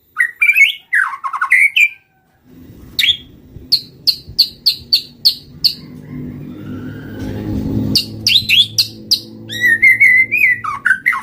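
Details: Murai batu (white-rumped shama) lure song: rapid whistled phrases, then a run of short sharp repeated chips about every half second, ending in a warbled rising trill; a low engine-like rumble sits underneath.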